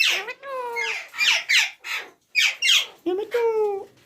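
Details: Ringneck parrot giving harsh, descending screeches, roughly one each second, interspersed with longer tonal, drawn-out notes.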